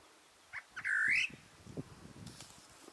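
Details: {'caption': 'A single great parrotbill call: a strong, harsh note sliding upward, rich in overtones, preceded by two short faint notes, with soft low knocks and background rustle afterward.'}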